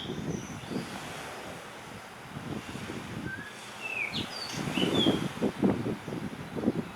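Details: On Hahajima in the Ogasawara Islands of Japan, a blue rock thrush sings a short burst of sweet, slurred whistles midway through. Gusty wind and rustling fill the rest of the recording.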